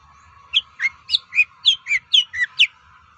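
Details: Long-tailed shrike song intended to provoke other shrikes to respond: a quick run of nine varied whistled and slurred notes, alternating higher and lower, over a steady faint background hum.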